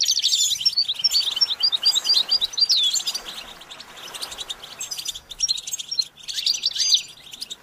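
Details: A goldfinch delivers a bright burst of rapid chattering twitters and quick whistled notes, then continues more softly with scattered chirps and short trills.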